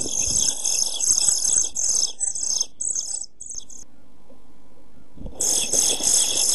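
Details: A brood of European pied flycatcher nestlings, 11-12 days old, in a nest box with a camera, 29 June 2013, nearly ready to fledge. A dense, continuous wash of high, hissy chirps stops for about two seconds, then resumes loudly, over low scuffling.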